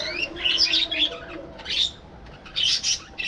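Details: Budgerigars in a breeding colony: bright, rising and falling warbled chirps in short bursts from a few birds, with quiet gaps between.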